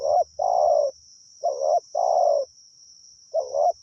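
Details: Decoy spotted dove calling without pause to draw in wild birds: repeated two-part coo phrases, short quavering note then a longer sliding coo, roughly every one and a half seconds, over a constant thin whine and soft low thumps.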